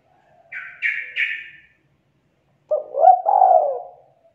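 A spotted dove coos a low, rolling, husky phrase that ends in a drawn-out note. It is preceded by three short, higher burry notes.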